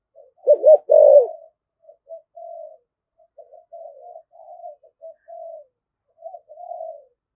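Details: Spotted dove, thổ voice, spirited thúc gù cooing: one loud burst of two hooked coos and a sustained note, followed by a long stretch of quiet, broken murmuring coos.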